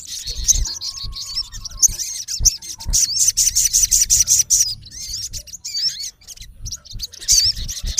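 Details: Shrill, busy calling from a male olive-backed sunbird confronting a rival in natural habitat: thin chirps, quick trilled runs and twisting whistled slurs in irregular bursts.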